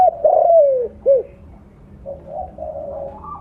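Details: Spotted dove of the mottled blorok colour form, loud-voiced, used as a lure: a strong descending coo followed by a short rounded note, then softer, wavering coos trailing off.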